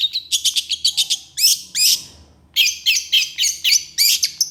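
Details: Long-tailed shrike singing vigorously, with harsh rapid bursts used as a training recording: a fast series of short high chirps, then two longer rising squeaky notes, a brief pause, then more repeated sharp chirps.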